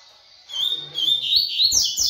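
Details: Double-collared seedeater giving a fast tui-tui style song: high, piercing whistled phrases that climb and sweep quickly, delivered in a continuous rush, with low clicking knocks near the end.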